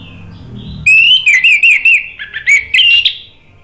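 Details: Orange-headed thrush singing as a stimulation track for a bird that has stopped singing: sweet fluty whistles with wavering ups and downs, delivered in a fast, varied, continuous phrase about two seconds long.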